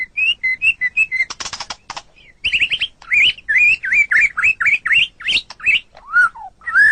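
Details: A white-rumped shama sings for a masteran recording meant to train pet songbirds: bright, clear whistled notes repeated in quick succession, broken by a short buzzy rattle, then rising and falling slurred whistles and a low swooping final note.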